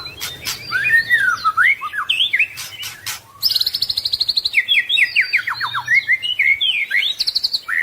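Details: White-rumped shama singing a "full isian" masteran: sweeping whistled notes that dip and rise, then a fast buzzy rattle followed by a run of descending chirps and clear whistles.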